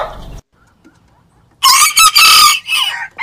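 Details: Rooster crow from a collection of crowing roosters: a brief fragment, near-silence, then a loud, harsh, broadband crow with a strained, breaking ending.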